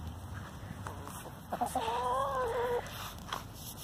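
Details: A complaining hen from a free-ranging flock, loud over who lays in which nest. A single quavering, drawn-out moan of just over a second stands out above soft rustling and faint background noise.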